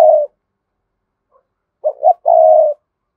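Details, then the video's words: Spotted dove cooing its full call sequence to stir up wild doves: one low coo phrase cut off at the start, a long silence, then two short rising notes and a long, steady, purring coo. "Chim cu gáy Cườm Sa thúc gù gáy gọi đủ bài. chim cu gáy kích bổi nhanh nổi"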